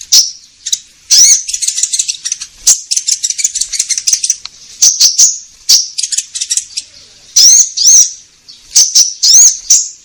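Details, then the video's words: Orange-headed thrush singing hard as a lure for caged birds: dense, rapid, rattling high chatter mixed with sharp upslurred whistles, delivered in quick bursts separated by brief pauses. "Pancingan Konin Gacor Langsung Nyaut"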